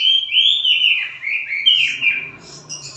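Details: Lovebird from Palembang giving konslet song, here a harsh, scratchy warble that slides up and down in short bursts, fading into softer chatter near the end.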